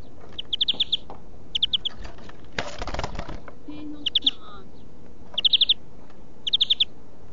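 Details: European greenfinch song in a song-training recording: several short trilled bursts of rapid repeated notes, broken midway by a loud rush of wing flapping, then more quick rattling trills.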